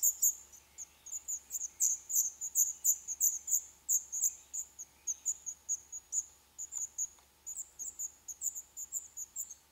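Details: Begging black redstart nestlings, day 11, in a nest built in an old furnace pipe of a building due for demolition, Poland. Rows of sharp, very high squeaks repeat steadily, slowly growing softer and sparser.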